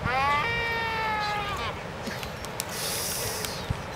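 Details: Waved albatross (Phoebastria irrorata) on Española, Galapagos, during its courtship dance gives a drawn-out, nasal, bleating moan of about one and a half seconds, then a few sharp bill clacks and a hissing burst over steady wind.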